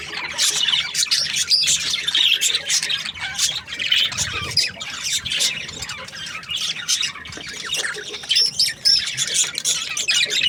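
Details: Budgerigar breeding pairs kept together, described as happy; a dense, continuous chatter of many birds, scratchy high chirps, squawks and warbles overlapping without pause, loud throughout.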